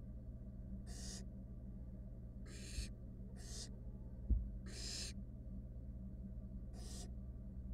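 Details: In a wild barn owl nest box holding three young and their mother, five raspy hissing bursts come at uneven intervals over a droning background hum, with one soft knock.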